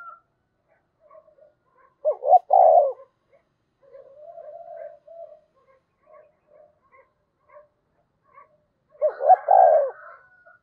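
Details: Spotted dove decoy cooing twice, roughly seven seconds apart, each phrase two brief rising hoots and a long mellow coo; quiet low murmuring notes run between, with a faint higher rasp over the second phrase.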